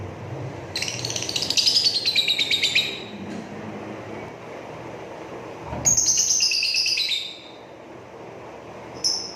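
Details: Indigo-blue lovebird singing in the ngrekek style: long dense buzzy chattering trills lasting about two seconds each, two main bursts with a short high chirp at the end, over steady background hiss.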